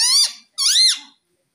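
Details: Pet green ringneck parrot indoors producing two loud squeaky, speech-like syllables, the first short and falling, the second longer and arching, with a short gap between them.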